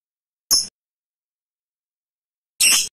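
A lovebird gives two short, harsh, shrill shrieks about two seconds apart, each lasting a fraction of a second, with silence between.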